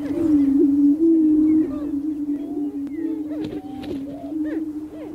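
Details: Male greater prairie chickens booming on their spring lek on open North American prairie to attract mates: a loud low moaning drone at first, then a softer steady hum with scattered rising whoops and cackles.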